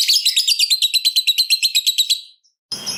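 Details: Caged lovebird's rapid "ngetik" typing-style chatter used as a lure to get other lovebirds singing: fast, high, buzzy clicking notes about ten per second for over two seconds, then a burst of noise.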